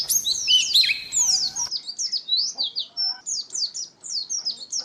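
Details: Oriental white-eye song, offered as a lure and as a tutor recording for other songbirds: a loud burst of sweeping, overlapping whistles opens, then rapid, high, thin descending twitters tumble along almost without pause.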